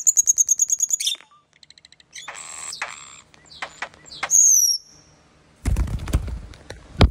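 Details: Common starling song: rapid pulsed high trills, soft clicks, a grating rattle, a loud descending whistle, then a burst of harsh noisy chatter with a sharp final click.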